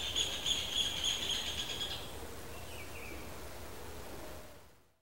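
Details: Rufous hornero in breeding season gives a quick run of loud, ringing high notes for about two seconds, then a few softer chirps over steady outdoor background noise.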